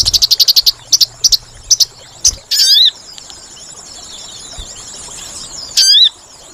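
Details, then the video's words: Sooty-headed bulbul lure call used to attract birds for trapping: a quick run of high, sharp chirps in rapid bursts, then two loud downward-sweeping whistled notes separated by a few seconds of quiet background hiss. "Suara Pikat Burung Sogon Paling Ampuh"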